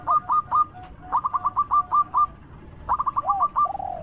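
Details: Local zebra dove in lively song, used to draw out other doves: short ticking notes, then a rapid stuttering run, a pause, and another quick burst ending in a lower drawn-out note.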